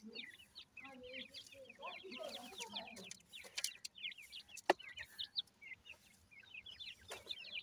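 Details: Chicks of grey francolin feeding produce an even stream of small high chirps, falling and rising, with soft lower murmurs early on and an occasional sharp click.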